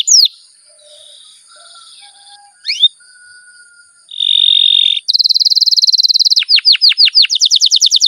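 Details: Caged canary singing long rolling song, used to prompt other canaries to sing: sweeping high whistles, a buzzy steady note, then a fast even trill and a run of rapid downward-swept notes.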